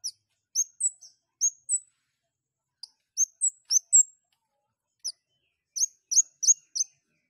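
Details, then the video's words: Long-tailed shrike song, used as a lure call to provoke other shrikes to sing: quick clusters of high, thin chirps and sharp whistled notes in bursts of two to five with brief pauses between. "KEMADE GACOR NGLEPER OVER BIRAHI"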